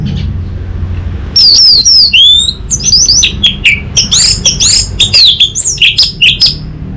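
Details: Orange-headed thrush singing, used as a tutor and lure for untrained young birds: long sweeping whistles falling and rising, followed by a dense chatter of quick varied notes over faint background rumble.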